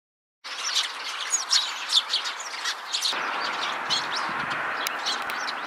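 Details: Eurasian tree sparrows give busy, overlapping high chirps for the first few seconds, one puffed up round atop a wisteria trellis, startled by pigeons taking off; then a steady hiss of wind or traffic takes over.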